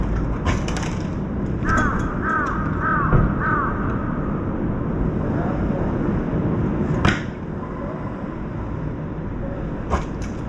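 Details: A distant crow near an apartment-side feeding spot gives four quick, arching caws in a row, faint over a steady low rumble with a few sharp knocks and taps.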